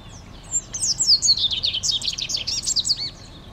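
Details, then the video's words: Little bird heard at sunrise in Mendoza, singing a fast, high-pitched stream of sharp chirps and thin whistles for nearly three seconds, ending in a couple of looping notes, with soft low background noise. "Bird song"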